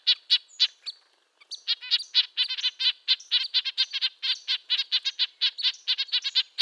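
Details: Clear nasal tooting from Red-breasted nuthatch, high and tinny, a pause after the opening notes, then a quick regular run of repeated honks.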